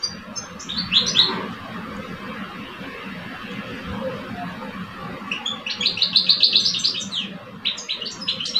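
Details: European goldfinch males, caged, dueling in song, one old and one two years old: a short burst of quick, high tinkling notes, a quiet stretch, then a rapid run of sharp, repeated chirps near the end.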